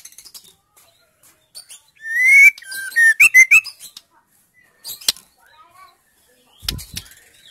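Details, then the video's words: Female white-rumped shama song, used to get silent males singing: a single strong phrase of a clear rising whistle, wavering slurs and a fast burst of crisp notes, surrounded by faint ticks and near silence. "MURAI BATU BETINA GACOR"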